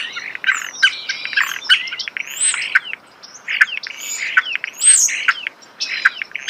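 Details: Close natural recording of a starling singing: rambling phrases of squeaky whistles, chattering clicks and downslurred notes, running almost continuously with one short pause near the middle.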